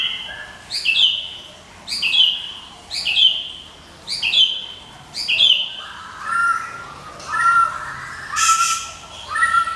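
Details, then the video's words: Nonstop ngekek singing from a Medan white-rumped shama, used as a lure and training master: high, bright phrases with sharp upper notes repeated roughly every second, then shifting to lower, clear whistled phrases. "MURAI MEDAN NGEKEK TIADA HENTI"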